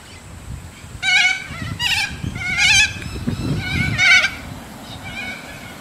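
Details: Wild little corellas, a visiting flock in Moorooka, Australia, give harsh, raspy screeches in bursts about every second, overlapping one another, over a low murmur of a man's voice.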